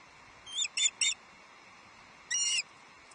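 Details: Osprey at Loch Arkaig Nest Two, 11 July 2023, as a second fish, a headless trout, arrives at the nest: three short high chirps in quick succession, a pause, then one longer shrill chirping burst.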